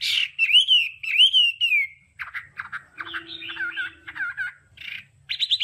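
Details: Hwamei singing varied 'đảo âm' training song: bold rising-and-falling whistled phrases followed by choppy, burry notes, twisting slurred whistles and a few sharp final bursts.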